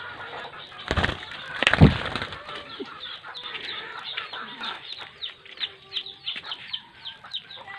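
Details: A pet black oriole being fed in Bicol province gives quick, high chirps repeated several times a second, after two loud bursts of flapping and handling noise.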